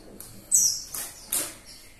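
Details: Warbling white-eye (pleci) in a burst of 'tembakan' shooting song: three short, very high chirps spaced about every half second, the first a bright descending whistle, over soft hiss.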